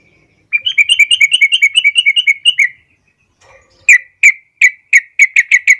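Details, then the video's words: Sooty-headed bulbul (trucukan) master song used for training young birds: a fast run of about twenty bright whistled notes, then a pause and a slower series of sharp, evenly spaced chirpy notes. "masteran burung trucuk paling di cari pendongkrak burung muda"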